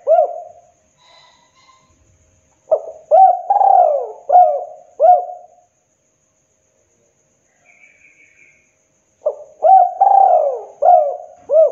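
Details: Spotted dove, a local bird kept to prompt other doves to call, giving clear mellow cooing phrases: a short opening note then several rolling coos, in two series separated by about four seconds of silence.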